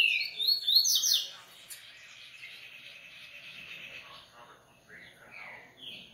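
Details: Double-collared Seedeater (coleiro) from a Brazilian breeder singing: a loud burst of fast, sharp, slurred high whistles over the first second and a half, then a long quiet stretch with faint trills and a few soft notes near the end.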